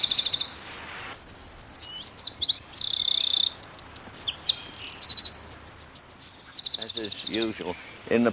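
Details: A Eurasian wren bursts into song in a broadleaved forest with a loud, very high outpouring of rapid trills and sharp notes. Lower, rhythmic sounds break in near the end.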